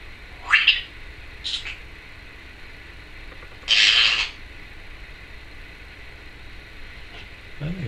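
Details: Pet Timneh African grey parrot recorded indoors at home in 2012, giving a quick rising whistle, a short high squeak, then a harsh raspy squawk, with quiet room background between the sounds.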